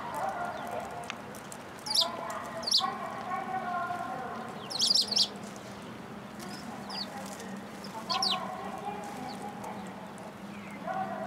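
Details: Sparrows visiting a feeding platform for food at a Tenmangu shrine on the afternoon of 3 March 2023. Bright, sharp chirps come in short bursts at about 2, 2.7, 5 and 8 seconds over lower, drawn-out tonal sounds and steady background noise.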